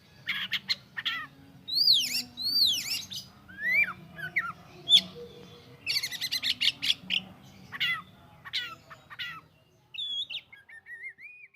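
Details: Kacer song with sweeping up-and-down whistled notes, quick chattering runs and sharp clicks, varied phrases following one another, ending in softer, thin sliding whistles; steady low hum behind.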